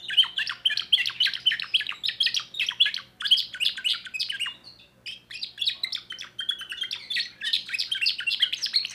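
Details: A young timbrado canary of 2024 sings a long, dense sequence of rapid chirps and trills, broken by two brief pauses, each section resuming with the same quick rolling pattern.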